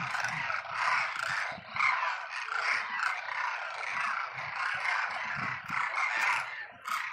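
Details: Migratory Demoiselle cranes at Khichan, Phalodi, Jodhpur: a dense, unbroken chorus of many hoarse, rolling trumpeting calls overlapping into one continuous din.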